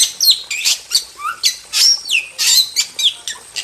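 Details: Super-chatty wild starling pouring out masteran song, loud strident whistles, harsh rasps and warbled slurs following each other without pause.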